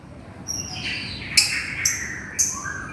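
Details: A lovebird calls out to its companion with a sliding, descending whistle, then three sharp high shrieks spaced about half a second apart, amid faint softer chirps.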